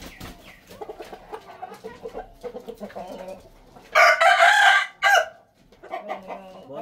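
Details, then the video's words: Red junglefowl at a hill chicken farm: soft, repeated clucking gives way to about a second of loud, harsh crowing, then a shorter burst and more clucking. "Real Red Jungle Fowl Crow"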